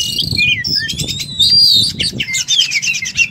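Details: Oriental magpie-robin singing in full 'tarung' fighting mode: a swift run of sliding whistles, a long bright whistled note, then quick repeated chattering notes, with soft low thumps beneath.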